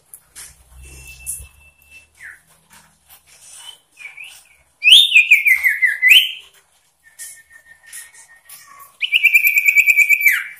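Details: Sooty-headed bulbul singing energetically and persistently with varied phrases meant to provoke rival birds: scattered soft whistles and chirps, then two loud buzzy, pulsed trills that slide downward, one midway and one near the end.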